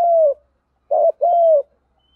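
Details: Spotted dove calling in the fighting-coo 'đồng gù đấu' style used as a lure for wild doves, with one long falling hollow coo, a pause, then a short note followed by another long coo.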